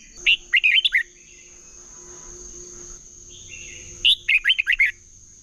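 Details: Red-whiskered bulbul in Vietnamese hót đấu competitive singing, a decoy recording to stimulate other birds: two energetic phrases of quick, bright slurred whistles separated by a long quiet gap, with a faint low hum and constant high whine.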